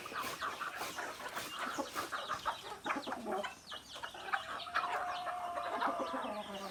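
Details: Native chickens, rooster and hens: scattered clucks and high peeps, then a longer drawn-out harmonic squawk, held and slowly falling in pitch near the end.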